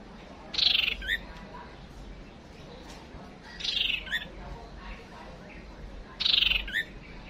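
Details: White-rumped shama female used as a fighting decoy to bring a male in fast: three short, sharp chirped phrases, each ending in a brief higher note, spaced about three seconds apart against a hissy background.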